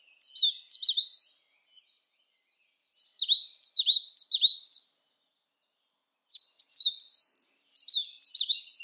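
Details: Eastern crowned warbler song in sunny 19°C weather: three bursts of sharp, high chirping notes, each quickly repeated and ending in a rising buzzy slur, separated by pauses of about one and a half seconds.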